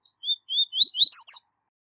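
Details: A seedeater (coleiro) sings clear, high whistled 'tui' notes that rise in pitch, ending in two quick buzzy 'zel zel' phrases, all within a second and a half.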